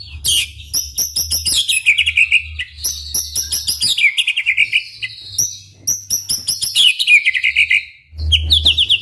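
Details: White-rumped shama in full, high-pitched song aimed at prompting other shamas to reply; continuous fast trills and ringing repeated notes, sweeping downward in bright cascading phrases.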